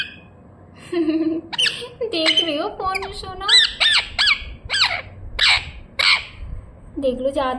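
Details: A pet rose-ringed parakeet gives harsh, arching squawks about once a second indoors while a woman coaxes it to say "tuk tuk", asks why it screams so loudly, and suggests its throat is strained from shrieking.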